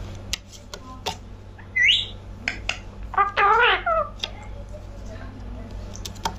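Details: Parrot talking: a brief rising squawky note, then a longer wavering, harmonic, speech-like phrase, with scattered sharp clicks and taps and a steady low hum underneath.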